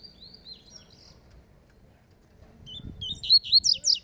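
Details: Rusty-collared seedeater singing in a dispute with a rival: faint high whistles at first, a quiet pause, then a burst of loud, rapid, chirping high notes that quicken toward the end.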